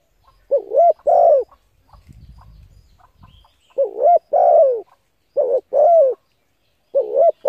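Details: Spotted dove cooing to stimulate decoy birds. The two-part phrases, a short wavering note and a longer falling coo, repeat four times. A low rustling knock comes in between the first and second phrases.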